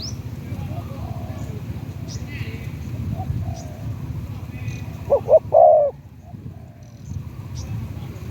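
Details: Spotted dove kept as a decoy bird, its voice described as the 'liu tan' style going from medium to deep. It gives a short three-note coo phrase with the last note drawn out, over steady low background noise.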